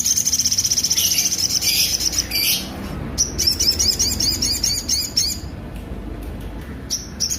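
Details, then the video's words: Sunbird singing rough, emphatic notes, a song used to train other songbirds: rapid, very high, sharp chattering trills that stream almost nonstop, broken by brief gaps, over a faint low hum. "sogon suara tonjolan kasar"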